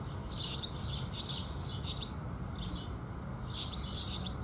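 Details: Morning chirps of house sparrows at sunrise: six sharp, high chirps, some in quick pairs, with a brief lull in the middle, over a soft, steady rushing noise.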